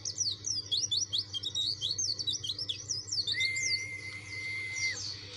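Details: Fast, scratchy run of high zigzag notes from a dakun white-eye pressing to find an opponent, then a steady mid-pitched whistle drawn out for about two seconds under fainter twittering.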